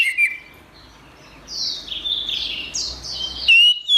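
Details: Song of the Orange-headed thrush: a sharp whistle opens, then a quiet, smeared, high warbling stretch, closing with two loud, clear whistled notes.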